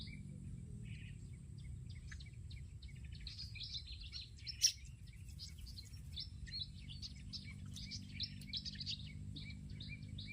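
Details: Olive-backed sunbird in a garden: a run of high, thin chirps and short twittering notes, with one sharp click midway and steady low background hum.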